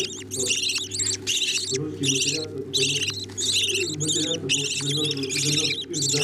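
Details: Budgerigar chicks begging while their parents feed them: rapid, repeated rasping squeals with wavering pitch, roughly 80 bursts a minute, above a constant low electrical-sounding hum.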